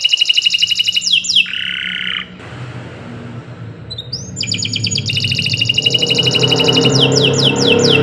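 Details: Canary song used as training material for other birds: loud high trills and rapid repeated notes, a held mid-pitched note, a pause with low background hum, then dense buzzy trills with slurred downward sweeps.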